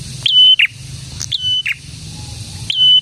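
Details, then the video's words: Loud song of a prinia known locally as prenjak tamu or prenjak merah: three phrases of a sharp rising note held as a thin whistle and finished with a harsh lower buzz, close and clipped. "BURUNG PRENJAK GACOR"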